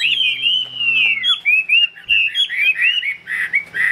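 A Chinese hwamei sings a rich, continuous run of loud, varied whistles, sliding and warbling without pause; a faint low hum sounds briefly at the start.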